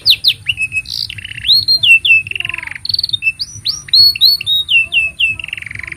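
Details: Canary in full song, played as training material for young canaries: varied phrases of clear whistles, short buzzy rolls, and down-slurred notes, with quick trilled bursts between them, all closely packed.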